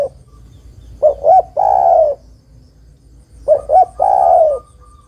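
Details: A female spotted dove calling to a male, used as a trapping lure. Two phrases, each two short hollow coos followed by a long, slightly falling coo, about two and a half seconds apart.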